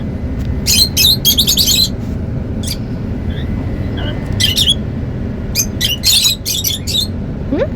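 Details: Happy lovebirds chattering in clustered bursts of shrill, high chirps and squawks, with a few softer whistled notes between groups, over a constant low rumbling background.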